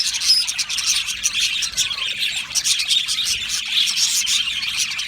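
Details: Budgie colony kept in an aviary, chirping and singing: crowded high twitters, squeaks and a few clear whistled notes layered over continuous chatter from many birds at once.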